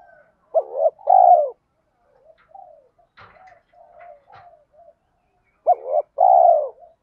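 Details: Lure cooing of spotted doves in thổ pha thúc style, used to make wild males call back: two loud hooked-then-falling coo phrases framing a stretch of soft murmured notes and a few faint clicks.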